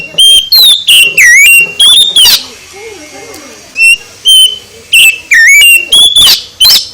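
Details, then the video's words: Oriental magpie-robin singing in the morning: loud whistled phrases with rising and falling slurred notes near the top of the range, delivered in bursts separated by short pauses, with faint low murmuring in between. "KICAU KACER pagi HARI, Memikat KACER mental LEMAH jadi GACOR"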